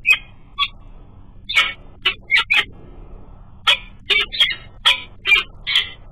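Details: A female peregrine falcon at her nest in the morning, after a huge meal, gives harsh, grating chup-like calls in irregular bursts, sometimes doubled, chatting with her mate as he flies by.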